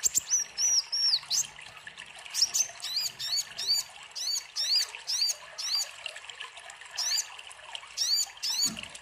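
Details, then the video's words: Sunbird song, used to spur and tutor young caged birds, with bursts of high, thin, sharply down-slurred chirps in quick clusters and a steady trickle of water underneath. "Pancingan kolibri ninja gacor"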